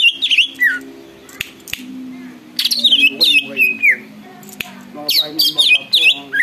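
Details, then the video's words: Greater green leafbird in full song gives rich, varied whistled phrases, bright slurred notes falling and rising in quick bursts, with a steady low hum underneath. "cucak ijo gacor bikin burung lain ikut BUNYI dan EMOSI"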